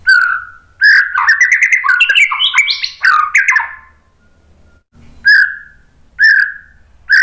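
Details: White-rumped shama (murai batu) singing a lure song to provoke other birds into answering: rich varied whistled phrases with rapid trills, a short pause, then three separated clear whistled notes.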